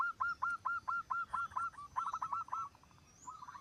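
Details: Zebra dove singing vigorously, a song said to set other zebra doves singing along: a run of about ten short hooked cooing notes, evenly spaced, then a faster rolling flourish and a brief softer phrase at the end.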